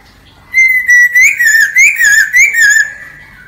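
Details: Lesser necklaced laughingthrush singing, used to lure birds for trapping; loud whistled phrases around a steady pitch with wavering, slurred notes and rich overtones, delivered in quick bursts about four per second.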